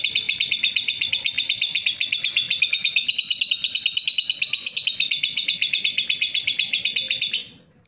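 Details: Lovebird giving a long ngekek chatter song: an unbroken stream of rapid, high, evenly pulsed chirps, nearly three per second, running for over seven seconds before stopping abruptly.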